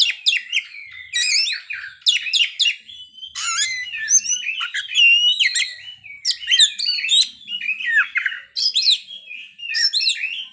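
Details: Oriental magpie-robin in full play, pouring out its repertoire of learned fill-in sounds: a continuous rich medley of warbles, slurred whistles and sharp chirps with hardly a break.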